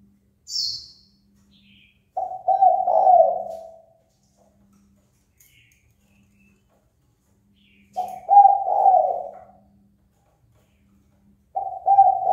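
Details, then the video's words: Spotted dove giving a fight-provoking call: a high chirp first, then low cooing phrases of short notes ending in a long coo, repeated about every six seconds. "Cu gáy chơi cực hay kích bổi đấu ngay!"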